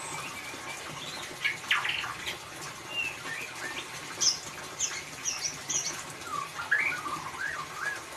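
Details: Ngeriwik-style song of a white-rumped shama meant to prompt a silent bird into singing: sharp high chirps and whistles, some sweeping up or down, in irregular bursts over a faint hiss.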